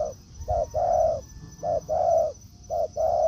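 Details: Spotted dove in forest with a decoy bird meeting a wild one: three pairs of deep soft coos, each a quick note then a prolonged one, evenly spaced.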